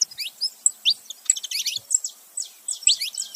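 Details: Saffron finch, male and female side by side, noisy: quick high chirps and short downward-sweeping notes in uneven clusters, with a few bright piercing peeps.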